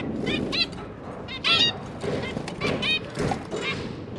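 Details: Zebra finches, parents feeding three newly hatched juveniles, 5 September 2022; softer, nasal calls in brief pairs partly masked by broad background noise.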